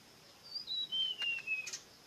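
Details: One bright phrase of sweet whistled notes sliding downward in steps, ending in a short high chirp, recorded close and loud.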